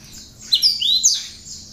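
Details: Cinereous tit with bar-winged prinia phrases, recorded as tutor material for other songbirds: a few loud, clear whistled slurs, some rising and some falling, over a faint high buzzy trill.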